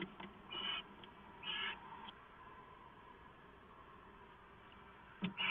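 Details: Owl on a live nest camera at 6:04 AM on 15 March 2014, getting leftovers; three short, harsh, breathy bursts, two close together early and one near the end, over a steady low hum.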